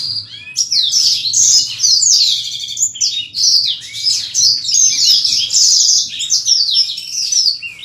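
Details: Caged black-throated canary during a pairing session: a continuous, rapid, high twittering song of bright trills and quick up-and-down slurred notes, running almost unbroken for eight seconds with only brief dips.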